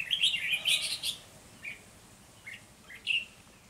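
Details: Red-whiskered bulbul used as a decoy while trapping wild bulbuls early in the season, 3 November 2020; a loud burst of warbled, slurred notes opens, followed by short, spaced chirps.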